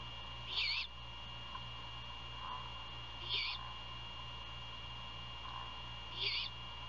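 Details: Nesting great horned owls near Savannah, Georgia, on a February 2022 night during a prey handover at 1:38 AM; three brief, hoarse, hissing screeches spaced roughly every three seconds, with soft lower murmurs between and constant background hum.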